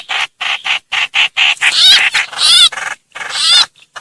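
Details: Distress call of a trao trảo bird crying for help and summoning its flock: a run of short buzzy, raspy bursts gives way to longer, louder squealing notes that rise and fall, ending abruptly.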